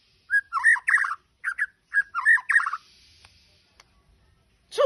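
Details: White-rumped shama singing vigorously in Majalengka: a burst of loud, rich whistled and warbled notes in short clipped phrases over about three seconds, then near silence with a few faint clicks and a final sharp note.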